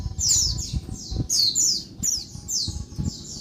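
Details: Female Oriental white-eye giving noisy daytime calls used to stir males into singing: short, high, squeaky notes sliding downward, in quick bursts of two or three roughly every second, over low rumbling background noise.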